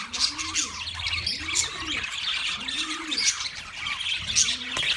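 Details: Wild budgerigars twitter in a dense high chorus while a deep cooing call repeats about every second and a half beneath the chirping.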